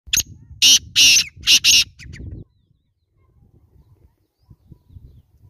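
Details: Black francolin calling: a loud, harsh, grating phrase of five bursts in about two seconds, a short opening note followed by paired buzzy notes, then quiet with faint low rustling.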